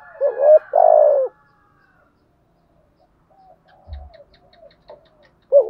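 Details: Spotted dove in Vietnam cooing in the 'thổ sấm' style, used to stir a decoy bird: two loud, low, hollow coos at the start, then a pause with faint softer notes, and a final coo at the very end.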